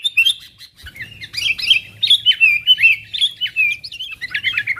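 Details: Sooty-headed bulbul calling continuously to pull wild bulbuls closer, a lure; a rapid unbroken chatter of bubbly, bouncing chirps and clicks, over a steady faint low hum.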